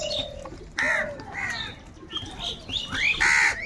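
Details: Crows in a huge flock, fighting for food, give loud, harsh, arching caws. Several birds overlap in quick bursts with short pauses between them.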